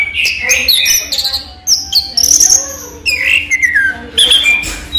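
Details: Collection orange-headed thrush, or raja teler, singing in daylight: varied high whistles, squeaky sliding notes and brief trills, with a faint steady low hum beneath.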